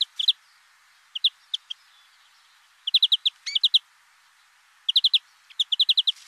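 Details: Greenfinch singing a twittering series of clipped, high chirps in tight clusters of three to six, with brief pauses between groups and one quick rising note mid-phrase; soft steady hiss underneath.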